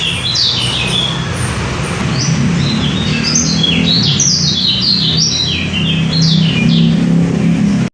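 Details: Lombok white-eye (pleci lombok, kecial) singing as a lure bird: fast, high, jumbled twittering of short slurred notes run together in long bursts, with steady low-pitched rumble and hum beneath.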